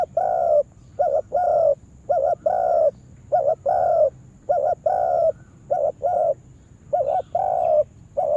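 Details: Spotted dove kept as a decoy for trapping, calling in a yard: rapid, regular sequence of low, mellow phrases, each a clipped double coo and then a longer coo, about six phrases in a row.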